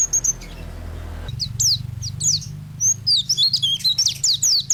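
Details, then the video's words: An energetic white-eye on a songbird training master: a brief low hum in the background at first, then high, falling chirps that quicken into a tumbling twitter of short, bending notes. "Burung pleci gacor untuk masteran burung"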